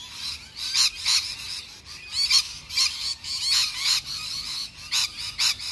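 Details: Wild lorikeets calling in suburban Melbourne, Australia: short, rasping screeches repeated unevenly, roughly every second or two, over faint low background rumble.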